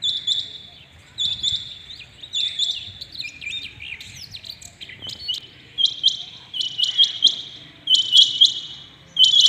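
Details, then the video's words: Rain quail calling early in the morning: high, sharp metallic notes in quick clusters of two to four, repeated in bursts about every second, with a quiet rural background. "Rain quail calling 2021 | common quail calling early in the morning"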